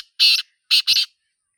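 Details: Wild black francolin, known locally as Sindhi Teetar, heard in nature giving a grating call: one broad, scratchy note, a short gap, then two harsh notes close together, with near silence around them.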